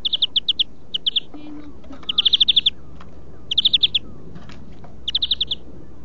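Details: European greenfinch song for training birds (huylandırma): five bursts of fast, evenly spaced trilled notes, the longest about half a second, with a short low tone between the first bursts.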